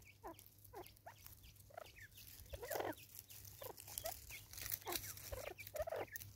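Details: South African Natal spurfowl in raucous chorus: grating, cackling notes, each dropping in pitch, delivered in irregular clusters with a couple of louder outbursts, and a faint low hum behind.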